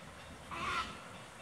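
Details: Black-crowned night heron in Campinas, São Paulo, Brazil, on 29 January 2019, giving a single short, harsh, croaking quok over a faint hiss of background noise.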